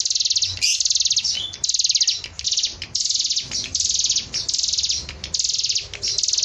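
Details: Actively singing hill prinia, a recording meant as masteran to teach songbirds: a steady run of shrill, fast-pulsed trills, each roughly half a second to a second long, repeated with brief pauses and one sharp chirp early on.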